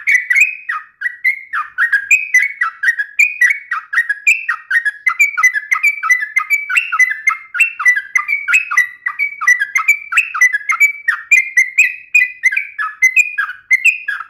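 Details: Long unbroken gacor song of a trucukan bulbul, uplik nembak ropel tajam style: fast chuckling whistled notes tumbling up and down in pitch, steady rapid rhythm throughout.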